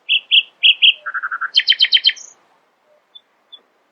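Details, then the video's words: Nightingale singing in the early morning: paired whistled notes, then a lower rapid trill, a loud repeated buzzy chord series and a high thin note, with sparse faint notes trailing after. "Nightingale screamed in the early morning, proudly displaying her poetic singing voice."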